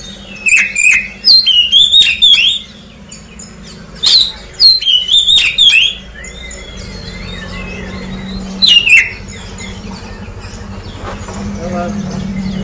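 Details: Oriental magpie-robin lure song after moulting, short loud bursts of ringing whistled notes spaced several seconds apart, with softer warbling between and a low background hum.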